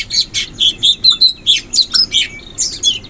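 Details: Sooty-headed bulbul, wild in forest, repeating short high chirpy notes at a fairly steady pace, roughly six per second, in a bright twittering stream.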